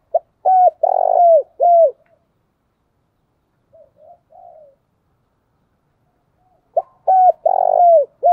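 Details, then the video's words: Spotted dove decoy calling: two bursts of loud, low cooing phrases, each a run of three or four rounded, slightly falling coos, at the start and end, with a few soft, short coos in the quiet middle. "Chim cu gáy gọi // tiếng chim cu gáy mồi chuẩn cực hay vang một vùng"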